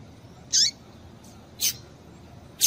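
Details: Female double-collared seedeater calling to stir males into song: three short, very high thin notes spaced about a second apart, the first with a quick downward slur, over a steady low background hiss.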